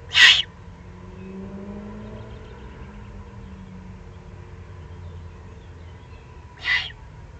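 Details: Two hoarse hissing rasps about six seconds apart from excited young Eurasian eagle-owls in the Eifel, Germany, 21 June 2020, with a low rumbling hum of distant traffic throughout.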